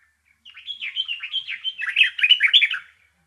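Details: Bulbul sings one continuous chirping phrase of quick swooping notes lasting under three seconds, starting softer and becoming louder and more jumbled toward the close; no other sounds.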